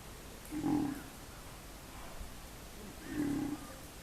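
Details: Pigeon cooing: two low, throaty, hoarse coos about two and a half seconds apart, each roughly half a second long, swelling then fading, over a quiet background hiss.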